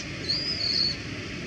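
A Brown-eared Bulbul gives a single thin, high whistle lasting under a second, dipping slightly at the end, over a steady background hiss.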